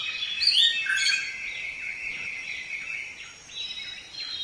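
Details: Samyong song used as tutoring material for songbirds: an opening flourish of high sharp whistles, then a steady stream of softer warbled and trilled notes with faint background hiss.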